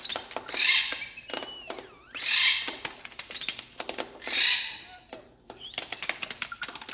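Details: Captive Blue Jay at a Connecticut nature center, thought male, doing his "tap dance" display while pounding on a finger, crown raised, belly feathers puffed and tail flared: odd R2D2-like electronic whistles, swooping and rising, between three loud hissy bursts, with sharp tapping clicks throughout.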